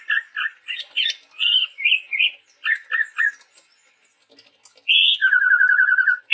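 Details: Male chestnut-rumped babbler singing steadily, a Sumatran forest bird: paired chirpy notes in quick succession, a brief pause, then a high whistle dropping into a long, even, rapid trill.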